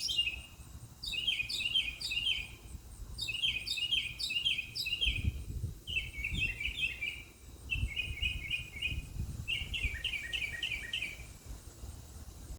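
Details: Mockingbird sings repeated clusters of downslurred notes, each cluster of three or four, changing to lower trilled phrases midway, with occasional low thumps.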